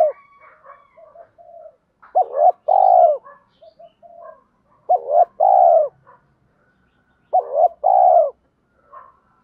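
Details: Male and female spotted doves giving rallying calls used to stimulate caged birds: soft murmuring coos, then three clear two-part phrases of a short hoot and a longer purring coo, about every two and a half seconds.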